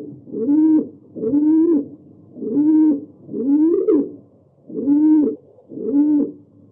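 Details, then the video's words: A pigeon coos in six soft, low hooting notes, each slightly rising and falling, spaced about a second apart; nothing else is heard. "Typical pigeons"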